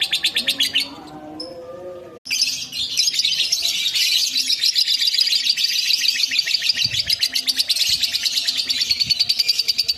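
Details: A lovebird's ngekek meant to stir up an opponent: brief mixed chirps and a lower note, a split-second gap, then a long, loud, dense trilled chatter of rapid repeated notes.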